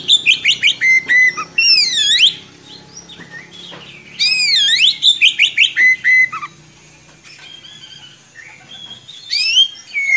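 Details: Rolling song of an Oriental magpie-robin, a bird used as a tutor for young birds: rapid chipping notes, loud looping whistled phrases that sweep down and up, short pauses with softer twittering, then renewed bursts of strong whistles.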